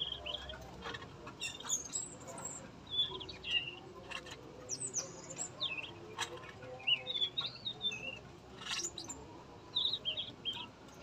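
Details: Tame male yellow-rumped flycatcher in captivity at a breeding setup gives brief high warbled whistles and twisting notes in loose clusters, broken by dry ticking clicks, with a soft low hum behind.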